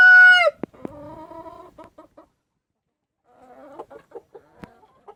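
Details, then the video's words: Foggy, cold dawn with a rooster waking and chickens searching for shelter: the end of a loud crow breaking off sharply, followed by drawn clucking notes and scattered soft clucks. "the rooster wakes up"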